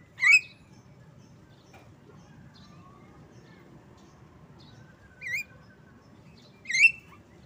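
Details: Javan myna uttering three separate calls: a clear ringing harmonic note, a softer one after a long pause, then another ringing note, with a few faint thin whistles in between against low steady background noise.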